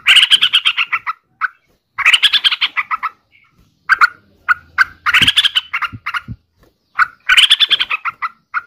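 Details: Yellow-vented bulbul calling in four harsh, buzzy chattering bursts, each followed by a few short separate notes, with brief silences between bursts.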